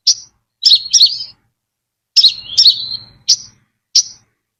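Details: High, sharp chirps from a Brown-throated sunbird, used as a lure: a single chip, a doubled twittering phrase trailing downward, another doubled phrase, then two isolated bright chips, with quiet gaps between.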